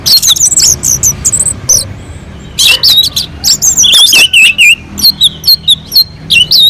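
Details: Orange-headed thrush from a mountain slope in continuous sweet song, used to draw other birds into singing; high twittering bursts and looping whistled notes come in short repeated phrases separated by brief gaps.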